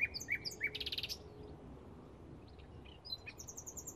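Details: Bluethroat in May 2016: quick ringing notes and a short dense buzzy burst, a quiet pause with scattered soft chirps, then a fast series of high thin repeated notes at the end.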